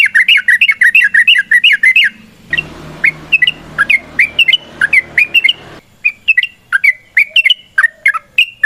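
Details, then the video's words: Yellow-vented bulbul's long fighting song, used to provoke other birds into singing: rapid, bubbly runs of short warbled notes, dense at first, then a brief pause with a low hum beneath, then further quick phrases. "TRUCUKAN GACOR TARUNG ROPEL PANJANG"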